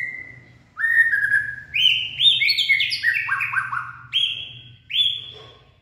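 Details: Purebred white-rumped shama singing in late afternoon, 18 February 2024: rich whistled phrases with cascading downward slurs in quick succession, then two separate high whistles; low steady hum behind.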